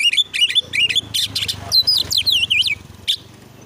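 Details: Oriental magpie-robin (kacer) song used for training, a pushy, emotional bird firing its mimicked content: fast repeated whistled notes, then swooping up-and-down whistles and sharp chirps, with a low hum beneath.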